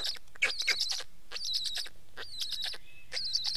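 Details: Black stork: a few loud, wheezy calls with bright, high, quivering whistled tones, separated by brief gaps.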